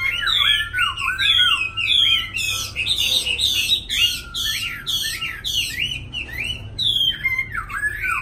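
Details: Two captive black laughingthrushes, said to be large males already singing long sustained song, give a rich stream of loud, varied whistles, sweeping slurred phrases and sharp rising notes almost without pause, with a low background hum.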